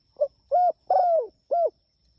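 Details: A spotted dove calls out to its companions with one clear phrase: a short clipped coo, then a steady hollow coo, a long drawn coo sliding lower, and a final shorter coo, all mid-pitched and mellow.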